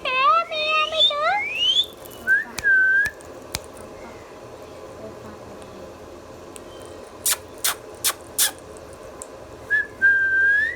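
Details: Talking Indian ringneck parakeet indoors: a rising nasal harmonic call opens, then short whistled notes, a long quiet gap, a few clicks, and a final steady whistle.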